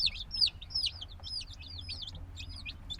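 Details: Tiny black chicks, hatched a few days before, peep in a rapid jumble of high downward-swooping cheeps, loudest at the start, with a steady low hum in the background.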